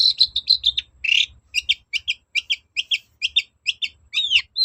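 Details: Long-tailed shrike in persistent song to provoke a reply: a few ringing chirps, a harsh rasp, then brisk, regularly repeated double-noted chirps ending in slurred whistles.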